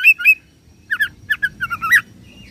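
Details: Oriental magpie-robin (kacer) imitating cililin and serindit, two clear whistled notes followed by a series of short rising and falling slurred chirps.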